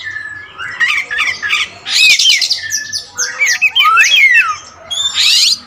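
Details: All-black Oriental magpie-robin (kacer wulung raja) with a richly varied song: fast twittering whistles, harsh rasping bursts and looping slurred notes follow one another with few pauses.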